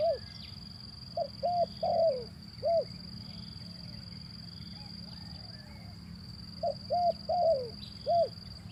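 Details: Zebra dove, used as a lure recording to prompt idle birds into calling; soft cooing notes near 600–700, a short burst early then another group later, with a steady high electronic whine throughout and low background rumble.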